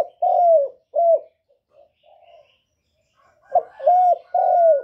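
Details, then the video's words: Spotted dove kept as a decoy, giving its lure song of calling, cooing and urging notes: a rhythmic run of mellow, slightly descending coos, a brief lull with soft murmurs, then three more loud coos. "CU GÁY GỌI + GÙ + THÚC CỰC KỲ HAY, Cu Gáy mồi hay, tiếng cu kích bổi, cu đất kích mồi"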